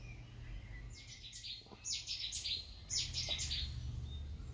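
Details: Common kingfisher (Alcedo atthis), recorded at Warandeputten in 2018, giving sharp, piercing high whistles in three quick clusters of several notes each, over a constant low hum.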